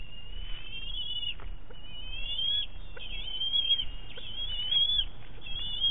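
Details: Eaglet of a bald eagle pair, recorded by a nest camera at Big Bear on 7 May 2018 during feeding with a fish. Nearly continuous wavering high squeals run over a low background rumble.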